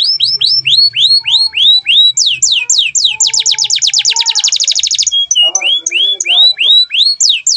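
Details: Canary song used as training song for other birds: loud, fast series of rising whistled sweeps, then a rapid buzzy trill of many repeated notes, a short pause with chatter, and more rising whistles, with faint low background sounds.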